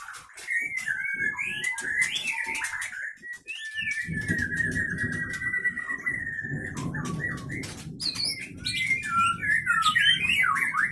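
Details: White-rumped shama from the Pining Leuser area of Gayo Lues, Aceh, held in a breeding facility, with sharp notes and long breath; long sustained whistled phrase flowing into looping warbles and clicks, low rumbling background.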